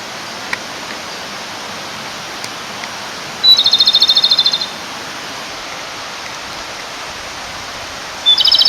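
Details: Male Japanese robin singing beside a clear stream, calling to a female: two high, rapid trilled phrases about five seconds apart, each opening with a sharp note and rattling on for about a second, over steady rushing water.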